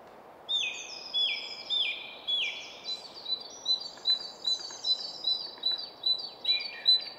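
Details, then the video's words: Song thrush in full song atop a spruce in quiet woodland at Väsby sjöang, Stockholm suburbs, Sweden: loud, varied whistled and chattering phrases delivered in rapid succession, about a dozen bursts in seven seconds, over a low hum of city traffic. "Song Thrush in Full Song"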